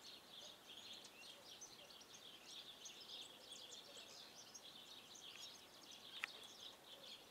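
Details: European goldfinch (Carduelis carduelis) in Karlovško predmestje, Ljubljana, on 21 January 2024, twittering a steady, rapid stream of thin, tinkling high notes, faint and continuous, with a single sharp click near the end.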